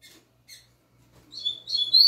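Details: Young double-collared seedeater, a caged novice bird, singing: a short burst of high, buzzy warbled notes rising into a sustained thin whistle after two faint chips.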